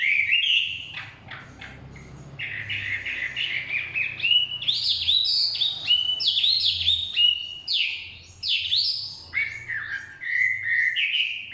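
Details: Chinese hwamei singing in the forest: a long, varied run of loud, rich whistled phrases, sliding up and down and repeated in quick bursts, with sharper high notes in the middle and a faint low hum beneath.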